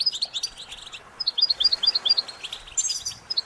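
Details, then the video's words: Goldfinch singing for song training, a string of short, high, bright chirped notes repeated quickly in uneven runs, with a brief break before more twittering resumes. "Developing the Goldfinch’s Talent- How do you Motivate it to Sing"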